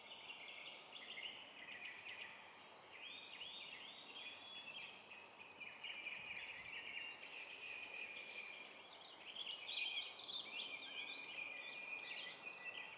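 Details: A female-type purple finch sings in a yard in Baltimore County, Maryland, on April 13, 2023: a rich, rapid warble of run-together notes in long, jumbled phrases, with faint background hiss.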